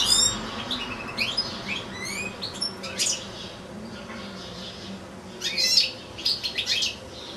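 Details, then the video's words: European goldfinch singing in captivity alongside a second goldfinch and two young goldfinch-canary hybrids: a busy run of thin high chirps, upward-sweeping whistles and buzzy twitters, pausing midway, then another tumbling, jingling burst. "ΚΕΛΑΗΔΉΜΑΤΑ ΑΠΌ καρδερίνες & καρδερινοκάναρα"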